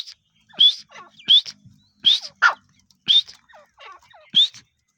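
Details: Grey francolin (teetar) calling: loud, sharp, high-pitched bursts repeated about every 0.7 seconds in an uneven series, with softer, lower notes between them and a quiet background.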